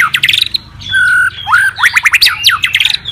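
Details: Challenge-singing white-rumped shama: quick chattering notes, a held level whistle, then fast upward-sweeping slurred notes and harsh chips.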